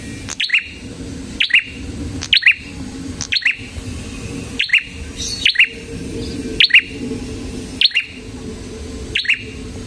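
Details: Energetic red-headed prinia (prenjak kepala merah) song for luring prinias and tutoring cage birds: a steady series of bright, clipped double chirps, each falling in pitch, roughly one per second, with a faint low hum beneath.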